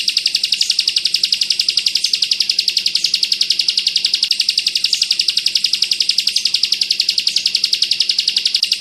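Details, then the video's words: A Bar-winged prinia tutor track (ciblek kristal, bren rapat ak 47 style, for white-eye training) carries a sustained, rapid volley of high, rasping notes, evenly spaced about a quarter-second apart, over a faint low hum. "Masteran burung ciblek kristal bren rapat ak 47"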